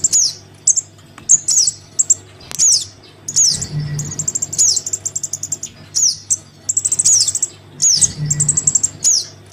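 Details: Begging crimson sunbird young calling its parent, used as lure sound: very high sharp chirps and rapid chattering trills repeated in uneven clusters, with a low background hum.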